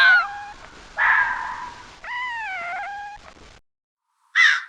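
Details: Raven giving long, hoarse, drawn-out harsh calls, three in a row each about a second long, followed by silence and a short final croak.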